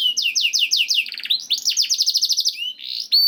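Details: Canary singing to stimulate other canaries: rhythmic falling chirps, a quick rolling trill, a run of rapid buzzy notes, then a rising whistle and a clear high note.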